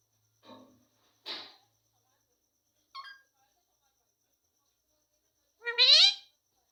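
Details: Rose-ringed parakeet talking, said to say "mummy papa": a few short scattered syllables, then a louder harmonic-rich call near the end, in a quiet room.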